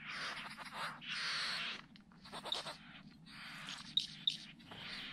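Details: A displaying Great bowerbird at Lake Bennett, Northern Territory, Australia, on 27 August 2020, gives harsh, hissing, rasping bursts about half a second to a second long, with sharp clicks and a steady low hum underneath.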